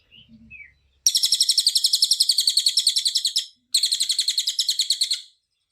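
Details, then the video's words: A cililin delivers its dense full-duration song for training other birds: two long rapid trills of piercing high notes, each over a second long, with a brief pause between and a faint squeak beforehand. "SUARA BURUNG CILILIN untuk masteran || FULL DURASI & TEMBAKAN RAPAT"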